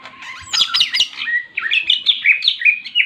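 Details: Fast, jumbled fighting song of a greater green leafbird, ngentrok jenggrik style, used to rouse rival birds: tangled high warbles open, then quick upslurred and downslurred whistles follow at a steady, rapid pace.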